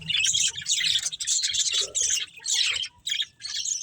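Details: Budgies in a breeding pair produce bursts of harsh, squawky chirps and chattering warbles in short uneven phrases separated by brief gaps.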